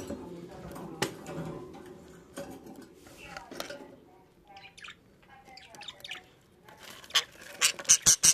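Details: Caged budgerigar family, a blue male, a green female and three newly hatched chicks in a freshly cleaned cage. Soft, warbling chirps come in brief bursts midway, after low murmuring, and the clip ends with a run of loud, sharp clicks or taps.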